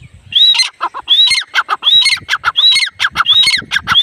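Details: Female grey francolin, locally called teetar, giving a rapid series of shrill calls; each phrase starts with a rising whistled note and breaks into several grating notes, repeated steadily about every 0.7 seconds.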